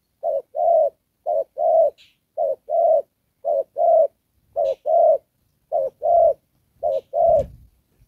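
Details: Decoy spotted dove kept for trapping, cooing in the "Đồng Pha" style: six evenly spaced short-then-long coo pairs, about one pair every 1.2 seconds, with faint higher chirps between.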